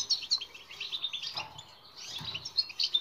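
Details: European goldfinch singing in the twittering batbata style, played as a training recording to make silent birds sing; rapid high twitters and trills in two bursts with a short pause between them, faint low rumble underneath.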